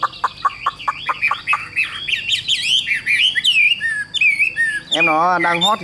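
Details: Caged Chinese hwamei in full song, still singing when the cage is carried: a quick run of clipped notes flows into twisting, warbled whistles and ends with a lower, buzzy, wavering phrase.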